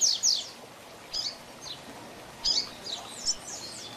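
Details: Double-collared seedeater singing the 'Tui Tui Zel Zel Diferenciado' teaching song for young birds: sparse, high, quick downslurred whistles and short buzzy notes in separated bursts over a faint hiss.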